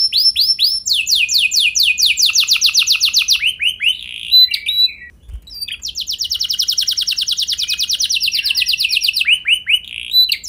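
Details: Singing canary, recorded to spur other canaries into long rolls: arched whistles lead into a long fast trill, a short break with scattered notes, then another extended rapid roll ending in swoops.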